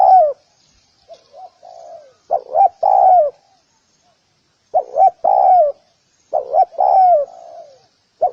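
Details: Low cooing of a spotted dove, soft quiet notes building into phrases of a double coo and a long drooping croon, repeated after gaps of a second or more.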